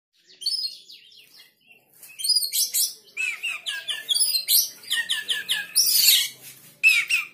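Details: Oriental magpie-robin (kacer) excited and joining in after hearing another bird's sound: a rapid, varied stream of high whistled and chattering notes with harsh, buzzy bursts, running almost continuously for seven seconds.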